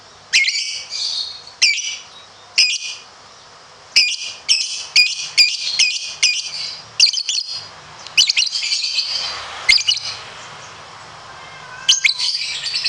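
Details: Lovebird, competition bird, in ngekek style: clusters of harsh, high scratchy chatter, some bursts spaced and others run together, with brief silences between.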